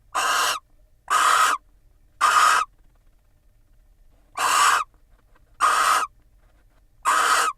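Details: Nest-box barn owls in Israel, the female incubating while the pair preen each other, 9.3.21; two groups of three short, coarse hissing screeches separated by a pause of nearly two seconds.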